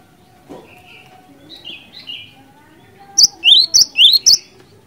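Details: Lure song of a Cinereous tit, delivered gacor, ngerol ngeplong: soft whistles first, then four loud, bright, upward-sweeping notes in rapid series.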